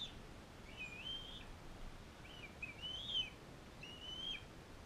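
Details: Captive bald eagles, an adult female fostering an eaglet from Powell River. Soft, somewhat distant high whistles, wavering and briefly rising, sound three times over five seconds against quiet steady noise.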